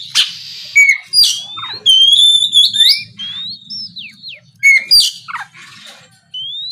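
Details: Oriental magpie-robin, gacor ngeplong song intended to make opponents answer; sharp whistles, a sustained bright ringing tone, downward slurs and rasping bursts, then a lone rising whistle at the end.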